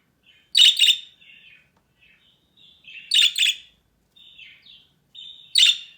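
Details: Pet budgerigars (Melopsittacus undulatus), new parakeets trading harsh, buzzy chirps and soft warbles, answering another budgie's calls.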